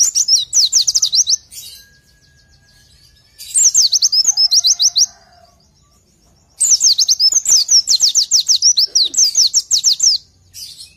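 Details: Oriental white-eye singing for training: three energetic phrases of fast, high, thin whistles, each note dropping sharply in pitch, the last phrase longest, with quiet pauses between.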